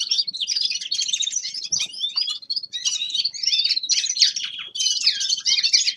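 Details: Common linnet, a young male, in winter warm-up song: lively bursts of twittering chirps and short trills, with a brief dip in volume midway before the chatter resumes.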